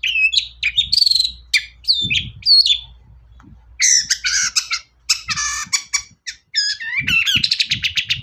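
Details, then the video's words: Long-tailed shrike song used to prompt other shrikes to sing: varied chattering, harsh rasping notes and clear whistled phrases mixed with mimicry-like twitters, delivered in busy bursts with short pauses. "pancingan burung cendet paling dicari"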